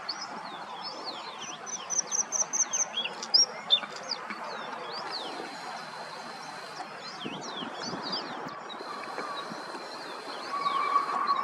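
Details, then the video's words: White-spotted bluethroat singing: high, varied whistled and buzzy notes, a quick run of thin repeated chips followed by sweeping slurred phrases, over steady low rumbling background noise. "White-spotted Bluethroat"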